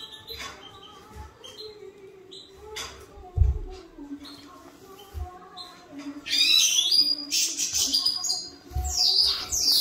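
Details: Caged European goldfinch of the major variety singing, a burst of fast twittering, buzzy and tinkling phrases after six seconds, preceded by faint chirps and knocks.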